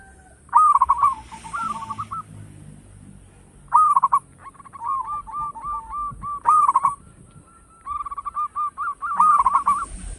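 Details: Local zebra dove with a big voice used as a decoy: four loud rolling coo phrases about every three seconds, each trailed by a chain of quick cooing notes.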